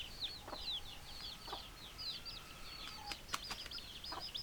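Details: Flock of chickens with continuous high, quick descending peeps and scattered soft clucks about once a second, plus a few sharp clicks or taps.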